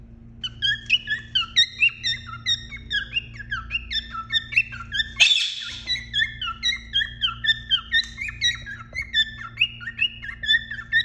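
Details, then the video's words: Male cockatiel courting a female inside the nest box, urging her to mate: a fast, steady run of bright, down-slurred whistled chirps, about three a second, over a low electrical hum. "كوكتيل كروان يحفز الانثى داخل البياضة"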